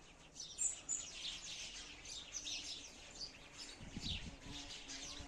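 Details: Sparrows chirping in a busy high twitter, with a low thud or rustle breaking in near the fourth second and light background noise.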